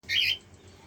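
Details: A pair of cockatiels; one single harsh, screechy call lasting about a quarter second, high-pitched and rough, then quiet with faint low background hum.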